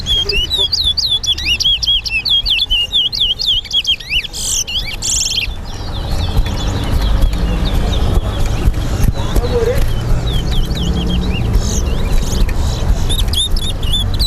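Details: Towa towa, or lesser seed finch, singing during a race between two birds at Lusignan, Guyana; a fast burst of bright, swooping whistles for about five seconds, then quieter distant phrases amid rumbling background noise and voices.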